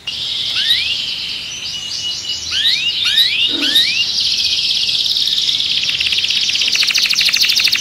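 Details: Restless canary in a cage sings rising slurred whistles over a steady high trill, which ends in a quick, rattling buzz.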